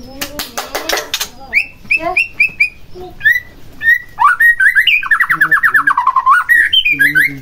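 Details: White-rumped shama song played to provoke another shama into singing: a burst of sharp clicks, then clear whistled notes around a steady pitch, building into a fast, varied run of warbled and slurred phrases.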